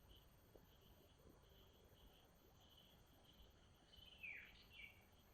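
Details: Wild common iora near a river, where a family of about four birds was present. Near the end comes a short burst of bright, descending whistled notes over a steady, high-pitched insect drone that runs throughout.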